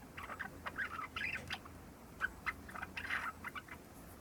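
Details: Java sparrow aged a little over three months rehearsing subsong soon after being taken home, giving quick irregular clicks mixed with short warbled chirps in uneven clusters, a sharp tick near the middle.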